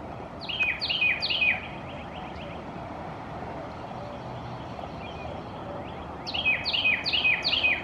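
A Carolina wren sings loud, ringing phrases repeated rapidly, three then four in a row, over a steady low rumble of distant traffic.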